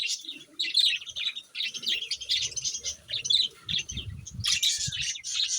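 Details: A flock of pet parrots keeps up dense, high-pitched chatter, a continuous stream of overlapping squeaky chirps and trills, with faint low thumps underneath.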